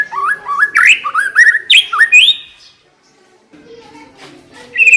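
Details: White-rumped shama lure song for coaxing a shama to start singing: a string of bright whistles stepping upward, each note rising, then a pause with soft background murmur and one last high whistle.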